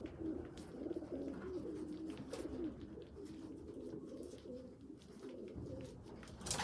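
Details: Young pigeons, a small poorly developed youngster feeding bigger well-developed ones; low wavering squeaky calls repeat through the clip, rising and falling, with soft rustling and scattered clicks.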